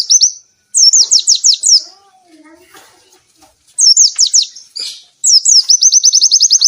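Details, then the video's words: Oriental white-eye singing to provoke and train birds reluctant to sing: high, rapid down-slurred chirp phrases, a quiet soft lower warble, then a long fast even trill. "burung pleci gacor!!! efektif untuk pancingan dan masteran pleci yang malas bunyi"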